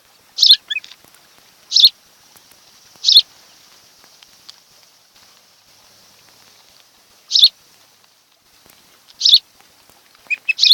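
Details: From an osprey nest on Kent Island, Maryland, recorded by a webcam on 26 July 2018 around mid-afternoon: several loud high chirps at uneven intervals, a long pause, then more chirps, over a faint steady hiss.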